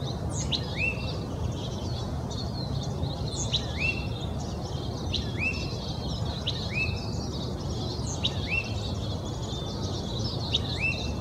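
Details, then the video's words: Oak titmouse in Old Torrance, Los Angeles County, California, January 21, 2020, repeating brief rising hooked whistles about once a second over steady low-pitched urban background noise. "Oak Titmouse Song"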